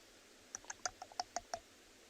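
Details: A woodpecker picks against a branch on a winter morning safari drive in a South African game reserve on 21 June 2020: about seven quick, dry, irregular taps in just over a second, quiet background; species unknown.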